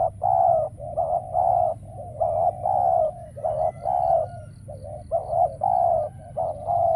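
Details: Caged decoy spotted dove calling during dove trapping, luring wild doves that are now scarce and do not appear. Low hollow coos come in steady runs of short and drawn-out notes, closely spaced, with a faint steady hum behind.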